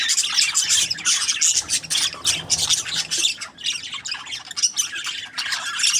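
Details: Group of budgerigars giving loud, harsh squawking chatter in quick, pulsing bursts, with a brief quieter dip midway before the high, scratchy calls crowd back in.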